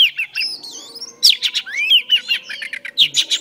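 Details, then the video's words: A female oriental magpie-robin sings loudly to stimulate a male. It gives a rich, fast run of varied whistles, upslurs and harsh chattering notes with almost no gaps. There is a faint low hum underneath. "Than mái hót kích trống P3 Oriental Magpie Robin Female"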